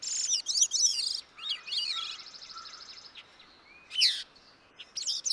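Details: A Newfoundland Gray-cheeked Thrush sings thin, squeaky, high phrases that spiral up and down with an ethereal, thrush-like ring, separated by short pauses; nothing else is clearly heard.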